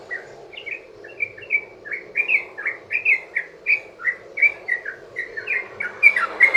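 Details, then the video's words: Long 'ropel' song of a yellow-vented bulbul, played to lure other bulbuls into answering: a fast run of bright, bubbly chirped notes, about three per second, rising and falling in pitch without pause. "trucukan ROPEL PANJANG buat pancingan burung trucukan agar bunyi jadikan trucukan gacor NYAUT"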